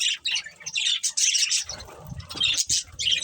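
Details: Breeding pair of budgerigars kept as pets, chattering in quick high chirps and scratchy warbles, with a short lower, softer rustling stretch midway before the chirping resumes.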